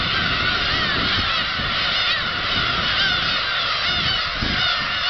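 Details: Flock of black-tailed gulls lifting off at Kabushima, Japan, 13 March 2016, producing an unbroken chorus of overlapping mewing, drawn-out calls, with a faint low background rumble.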